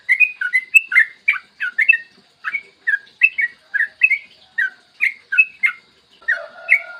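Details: A lure song from a yellow-vented bulbul for stimulating other bulbuls: bubbly, slurred chirps in quick succession, a short pause, then more, ending with a faint, steady lower whistle.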